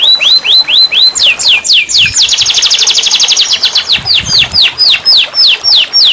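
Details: Canary song meant to stimulate a quiet caged canary: clear descending whistled notes repeated about four per second, merging into a dense fast trill, then returning to spaced downslurred whistles.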